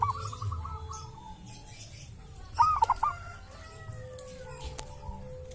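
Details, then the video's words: Zebra dove, local and wild, from a sacred tomb, with a voice described as distinctive: faint trailing coos at the start, then one short, loud cooing phrase midway, with a sharp click later and low background rumble. "perkutut lokal dari MAKAM KERAMAT ‼️punya suara cirihas tersendiri"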